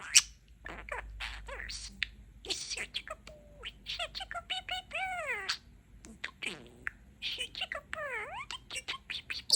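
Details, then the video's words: Pet budgerigar, a male perched outside his cage, talking: rapid mimicked speech with swooping, warbled syllables and clicks, mixing chatter with sliding whistle-like notes, after a person says softly "such a good baby". "Baby Bee Bee Bird - Talking Parakeet"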